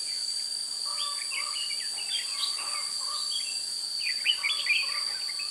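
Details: Red-whiskered bulbuls during trapping with a decoy bird, recorded 16 June 2017: bursts of bright, quick whistled notes in clusters, lower steady whistles beneath, all set against loud continuous insect buzzing.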